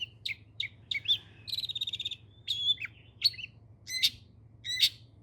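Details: Long-tailed shrike in full song, mixing short piercing chirps and slurred whistles with a quick rattling burst of about ten repeated notes, followed by a few harsh, broad chips spaced out near the end.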